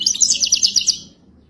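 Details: Short, bright, rapidly repeated tinkling trill of about ten notes from a European goldfinch in Wadani style, ending abruptly in quiet.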